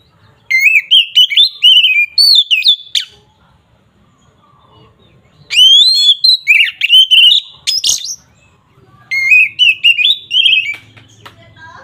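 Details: Oriental magpie-robin in excited fighting song meant to provoke rival birds: three loud bursts of rapid whistled and warbled notes with sharp slurs, each burst a few seconds long, split by pauses.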